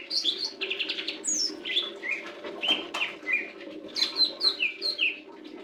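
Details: Lesser green leafbird song: a lively string of varied high whistled and chirping notes, some slurred downward, delivered several per second over a steady low hum.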